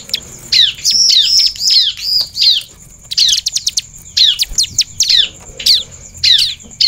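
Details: A bar-winged prinia gives emotional, rapid bursts of high, sharp, downslurred chirps in quick runs with brief pauses, over a steady high hiss; the recording includes female calls meant to provoke other birds to respond.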